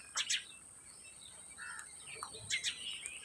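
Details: Rose-ringed parakeets, called green ringneck parrots, let out quick raspy double shrieks at the start and again near the end, with a thin continuous high whine running underneath.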